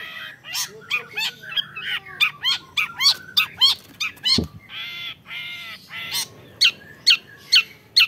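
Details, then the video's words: Young long-tailed shrike giving a busy, harsh song of rapid buzzy and rasping notes in short bursts, with brief high sharp notes near the end and one loud knock midway. "MENYAKSIKAN GAYA CENDET MUDA"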